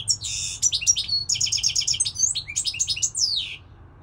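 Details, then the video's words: Singing European goldfinch delivering a continuous, loud, rapid stream of liquid twitters, trills and buzzy notes for about three and a half seconds, with a faint low hum underneath. "Singing Goldfinch, saka kusu تغريد الحسون الاروع هذا الموسم"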